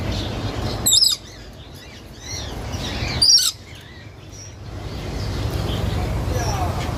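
A parakeet gives two loud, harsh, shrill screeches about two seconds apart, over a low rumble of wind or distant traffic and faint chirps.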